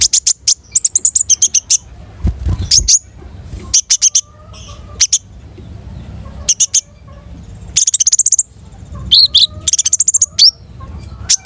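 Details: A long-tailed shrike sings busily: rapid trilled chirp series alternate with whistled phrases and sudden high slurs. A brief low thump is heard near the start.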